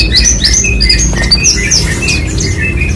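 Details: A persistently singing Horsfield's bushlark of the parva type pours out fast, loud sequences of rising and falling whistles and sharp chirps, layered over a constant low droning hum.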